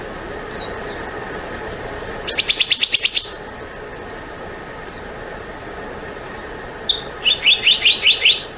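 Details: Black-naped monarch with two bursts of rapid, even, sharp ringing notes, each about a second long with seven or eight notes, separated by soft, short descending whistles and quiet hiss.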